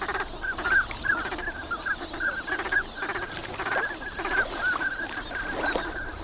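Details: Large flock of migrant ducks wintering at Lake Inawashiro, Nagahama, Japan, on a sunny morning: continuous short whistles with several rougher, buzzy bursts scattered among them.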